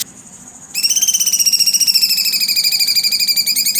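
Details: Cucak cungkok bursting into a sustained, rapid, rattling trill after a brief quiet start, the pulsed notes sliding gently lower in pitch over about three seconds.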